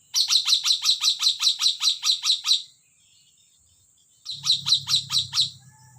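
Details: Sumatran hill myna giving a fast run of about twelve sharp, bright chirps over two and a half seconds, a short silence, then a second burst of about six chirps over a low steady hum.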